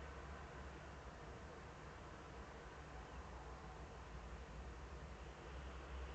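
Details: Only broad steady hiss and low rumble are heard, with no animal call standing out.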